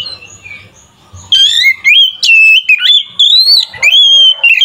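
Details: Oriental magpie-robin (kacer) singing to provoke other males: a long, loud, clear whistled phrase that wavers up and down, broken by sharp chips and short buzzy notes.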